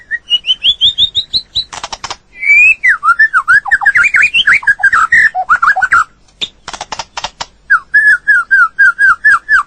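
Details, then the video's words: Natural song of a White-rumped shama: a rising series of clear whistles, then a tumbling varied warble of looping notes, later a steady run of repeated short whistles, with scattered sharp clicks. "เสียงนกบินหลาหรือกางเขนดง l White-rumped shama sound"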